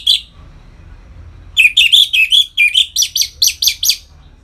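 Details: Ngeplong-style song of an orange-headed thrush, known locally as anis merah, played to bring captive birds into breeding condition: one short note, a pause, then a fast run of bright, warbling chirps at steady pace.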